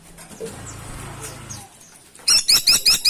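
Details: Caladi tikotok woodpecker calling actively: after a stretch of low rumbling background noise, a loud burst of five sharp, high, clipped notes in quick even succession.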